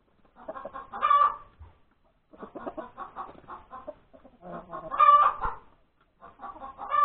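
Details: Hen announcing her freshly laid egg at breakfast time, January 31, 2021. Three loud, long squawks are separated by bursts of fast clucking and a few short pauses.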